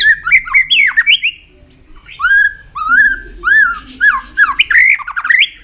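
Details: Caged white-rumped shama singing a stimulating, tail-flicking song, used to excite other shamas into fighting form: rich whistled phrases, slurred upward and downward sweeps with some harsh notes, in bursts separated by short pauses.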